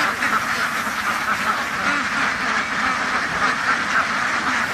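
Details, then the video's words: A crowd of ducks on a farm keeps up rapid, overlapping quacks, a constant hoarse chatter throughout. "duck farm ducks house بطخ بطخوں کا فارم"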